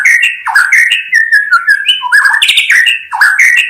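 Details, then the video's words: Rich, fluty song of a white-rumped shama: quick run of clear whistles, slurred notes and sharp ticks, delivered continuously and loudly. "SUARA KHAS BURUNG MURAI BATU_KICAU ISTIMEWA"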